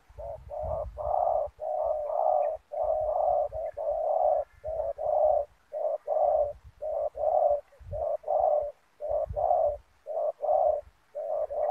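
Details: Decoy spotted dove calling to attract wild doves at a ground snare-net trapping site, giving steady series of hoarse, mid-pitched coo notes about once a second, some doubled, with soft low knocking underneath.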